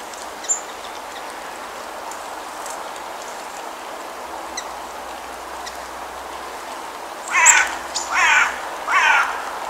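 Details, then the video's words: Recorded in Almaty, Kazakhstan: after several quiet seconds with faint background noise, a Brambling gives three rasping, nasal calls in quick succession near the end, each short and buzzy. "Brambling | Юрок | Fringilla montifringilla"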